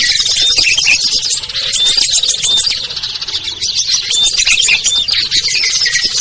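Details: Lure call mix of small birds (ciblek, kutilang, trucuk, sogon, perenjak) meant to coax hard-to-lure birds down: rapid, thickly layered high chirping, roughly four bursts a second, with scattered pure whistled notes.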